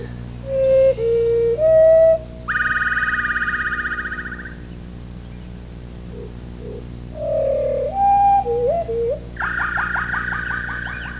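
Wood Thrush song slowed to a quarter speed: low, pure whistled notes followed by a long, buzzy trilled flourish, given as two phrases.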